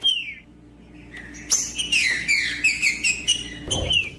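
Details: Green-winged saltator song meant to warm up a cold bird, opening with a falling whistle, a brief pause, then a rapid chain of loud, bright whistled slurs, about a dozen notes, closing on a descending phrase over faint background hum.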